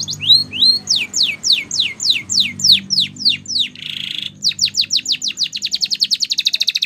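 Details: A canary's training song: rising slurred notes lead into a steady run of falling whistled sweeps and a short buzzy burst, then an even quicker accelerating string of downsweeps merging into a dense trill.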